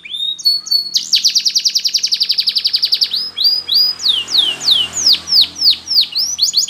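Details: Spanish Timbrado canary training song opening with short whistles, then a long rapid pulsing trill, switching to slower, loud falling sweeps spaced about half a second apart.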